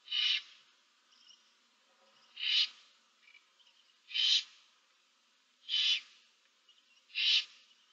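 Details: Five rasping hisses about one and a half seconds apart come from seven barn owl owlets in a nest box, 15 March 2024, with faint softer sounds between.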